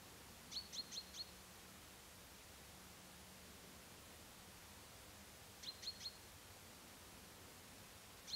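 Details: Little owl (Athene noctua indigena) giving short, sharp, high yelping notes in quick bursts of three or four, then a lone note, over a steady low background hiss.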